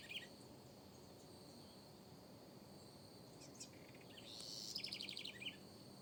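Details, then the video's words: In a backyard, a house wren opens with a short high note, then after a pause delivers a vigorous song of tumbling high notes and a rapid rattling trill, ending with a sharp final note; steady background hiss. ""corruíra" o mais belo canto"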